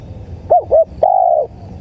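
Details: Spotted dove (tekukur) coo from a lure recording for catching birds: two short mellow hooting notes, then one long drawn-out coo that falls slightly at its end, over a low steady rumble.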